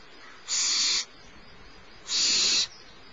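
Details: Smallest barn owl owlet at Starr Ranch, fed by the adult female about 10:30 am on 6 March 2011, gives two loud, rasping, hiss-like screeches about half a second each, spaced roughly one and a half seconds apart.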